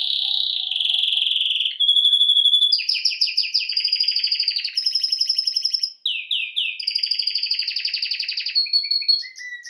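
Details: Singing canary delivering a long unbroken song: rolling high trills that shift pitch every second or two, with rapid repeated notes and a brief drop to lower swooping notes near the end, background silent.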